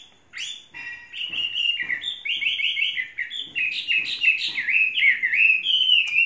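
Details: Song of a caged Chinese hwamei kept for three seasons: a rich, continuous flow of rapid whistled notes, repeated figures and warbles tumbling over one another, with soft clicks beneath.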